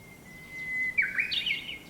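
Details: At sunrise, birds sing in a big black locust tree next to a town house, heard from a window. A level, drawn-out whistle runs for a second and breaks into a quick jumble of bright chirps.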